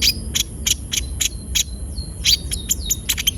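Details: Javan white-eye in energetic full song, used as a lure recording to prompt young birds to sing; sharp high chips repeated about three times per second, with a few thin drawn-out whistles and a steady high electronic whine.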